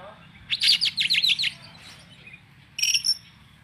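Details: An Oriental magpie-robin (kacer) gives a rapid burst of about eight rasping, buzzy repeated notes, a soft pause, then a short high chattering phrase; faint low background hum.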